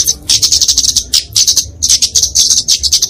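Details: Flowerpecker in fighting song, a bird said to sing in flowering trees, kept to train and lure songbirds: fast, very high sibilant ticks and trills in quick, uneven bursts.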